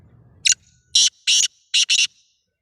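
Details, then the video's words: Black francolin, kept as a pet, locally called kala tetar, delivering a rhythmic harsh call of five grating high notes, the last two run together, over about two seconds in quiet surroundings. "kala tetar"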